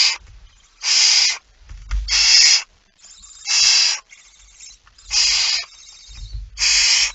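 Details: Early-morning feeding at a barn owl nest, 19 September 2019: about six harsh hisses in an uneven series, some overlapping fainter ones, with dull thuds of movement between.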